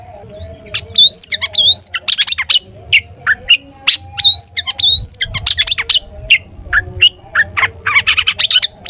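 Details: Long-tailed shrike (cendet) song played to spur other shrikes into singing, full of 'toet toet' notes: upslurred whistles mixed with dense clicking, chattering bursts, delivered rapidly and almost continuously, over a steady low background hum.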